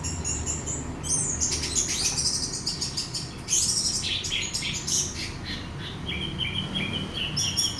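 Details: Lure recording of an orange-headed thrush singing to stir another bird into song: fast, twittering high phrases and rattling bursts, then a run of short repeated whistled notes toward the close, with low background hum.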